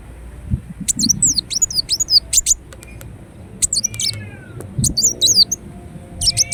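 A ruby-cheeked sunbird sings bursts of very high, thin, twisting notes in quick clusters, with pauses of a second or so between them.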